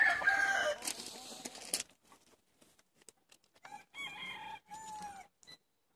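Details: Chickens from a flock of 70 let out for the day in Longford, Ireland, on 25 February 2016. A loud noisy burst opens, then short harmonic crow-like calls follow after a pause, with sporadic clicks and rustling.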